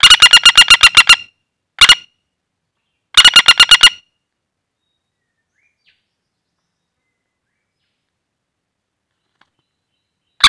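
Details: A wild-caught common flameback's rattling lure call: a long rapid run of sharp notes, a single short burst, then another rattle, followed by six seconds of silence and a final note.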